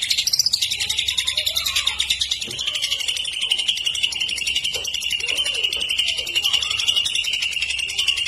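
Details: Greater green leafbird, called cucak ijo, sings a sustained high chattering trill with kapas tembak and lovebird imitations. The rapid notes pour out without pause at a fairly even pitch.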